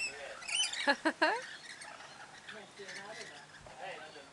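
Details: Rainbow lorikeet in Queensland, Australia: a few loud harsh screeches in quick succession, followed by softer chattering and squeaky notes against a busy background.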